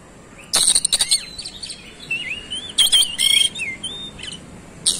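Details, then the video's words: Oriental magpie-robin, locally kacer, in fast 'roll speed' singing that shows off its fill phrases: a rasping rattle, smooth wavering whistles in the middle, then buzzy bursts around three seconds and a final short burst. "KACER SUPER GACOR ROLL SPEED BONGKAR ISIAN"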